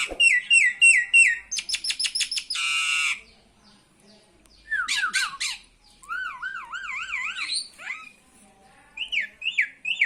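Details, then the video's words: Myna voicing a greeting: sharp repeated whistled notes, a rapid burst of high clicks and buzzy rasp, then wavering whistled trills that rise and fall in quick loops, with short pauses between phrases. "Burung Jalak Mengucap Salam"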